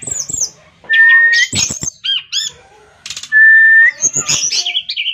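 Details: Brown-chested jungle flycatcher delivering loud, mixed phrases: sharp high chirps, two long level whistles, quick rising-and-falling notes and harsh buzzy bursts, separated by brief silences.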